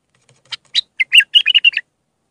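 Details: Iraqi bulbul, raw Mandali singer for tutoring young bulbuls: a short phrase starting with two soft chirps and building into a fast, liquid string of about seven warbled notes.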